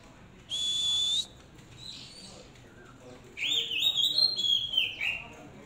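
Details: A long steady whistled note, then a quick run of bright, sliding warbled notes from a hand-raised Oriental magpie-robin, a captive bird reared by hand.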